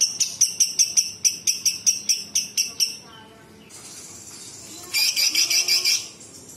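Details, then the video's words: Cucak cungkok bulbul singing in mimicking style; a long run of evenly spaced, piercing high chirps, a short quiet hiss, then a loud buzzy, rattling high trill. "Cucak cungkok istimewa gacor variasi tembakan istimewa tajam kasar rapat super pedas full isian"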